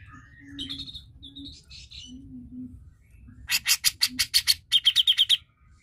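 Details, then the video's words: Grey-cheeked Bulbul used as a lure to stimulate quiet bulbuls to sing: a few soft, wavering whistles, then a loud burst of about a dozen rapid, harsh chattering notes over a faint low hum. "Pancingan Cucak Jenggot Malas Bunyi"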